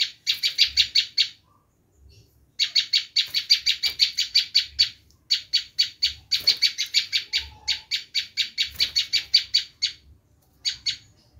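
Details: Bar-winged prinia screaming call, used to lure wild prinias. Long, fast volleys of harsh, rasping, buzzy notes are broken by short silences. The calling is loud and persistent, with a few faint low thumps.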